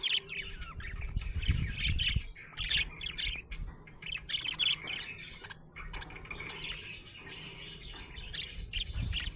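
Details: Happy budgerigar chirping: busy warbling chatter of short squeaky notes and rapid trills, bursts coming and going over a steady low background rumble.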